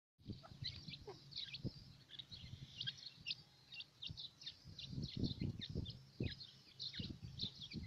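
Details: A grey francolin family gives a steady scatter of short, high chirps and squeaky notes, with low thumps and rumbling noise underneath.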